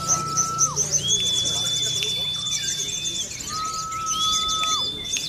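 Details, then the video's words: Caged Sunda leafbird at a songbird contest, singing song material learned from the bar-winged prinia: long level whistled notes, one high and one lower, alternate with quick scratchy trills and chips. A steady low hum runs underneath. "SOGON MATERI CIBLEK"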